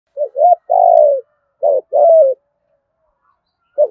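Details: Spotted dove in the 'thổ gù thúc' voice style, used to lure wild doves: low hooting phrases of two short rising coos and a longer falling note, two phrases plus the start of a third, quiet background.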